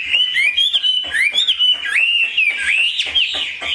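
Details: Caged Chinese hwamei singing clear, slurred whistles that loop upward and downward, each phrase lasting about half a second, delivered in a quick, continuous series.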